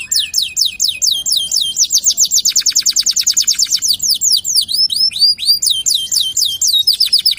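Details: Gacor local canary in full song as lure audio: rapid rolling trills of repeated swooping high notes, about five per second, run into dense buzzy stretches and return to slurred chirps.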